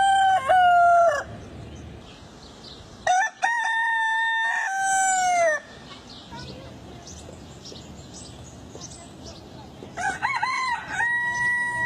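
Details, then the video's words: Rooster crowing three times, long harmonic crows with a falling end, separated by several seconds of quieter background noise with faint distant sounds. "صوت الديك( Rooster voice)"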